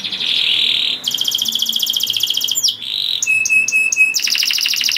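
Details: Canary in full song, meant to raise breeding desire in other canaries so they sing too; a steady high buzzy note, quick rattling trills, a swooping slur and clipped repeated tones in a varied, unbroken stream.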